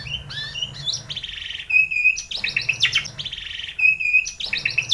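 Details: White-rumped shama singing in a morning training recording meant to set off song: clusters of rich, rattling notes alternate with clear, level whistles, the pattern repeating roughly every two seconds.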